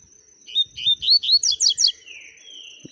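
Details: Double-collared seedeater song: a quick series of bright, slurred whistled notes that rise and fall, speeding into sharper high chirps before stopping. A thin steady high tone runs throughout.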